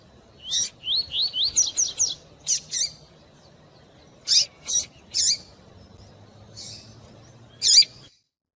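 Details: Double-collared seedeater, a tui-tui type prized by breeders for song tournaments, in fast song mixed with female calls meant to stimulate a male: a run of quick rising slurred whistles, then separate sharp high buzzy notes spaced about half a second apart.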